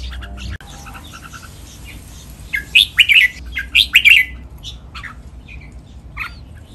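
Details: Captive-training song of a red-whiskered bulbul in the Pa La-u and lak wai styles: after a quiet start, two bursts of rapid, rising-falling warbled notes, with faint chirps afterward.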